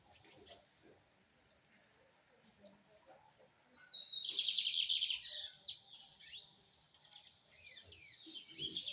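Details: Rusty-collared seedeater song: after a quiet start, a rapid run of high trills and sharp down-slurred whistled notes from about four seconds on, fast and varied, over a faint steady high hiss.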